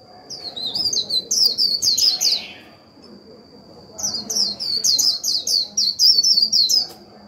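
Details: Captive Japanese white-eye decoy bird giving its chattering 'líu' song to provoke other birds, two long runs of fast, high twittered notes with brief squeaky slurs, separated by a short quiet gap, with faint low background murmur.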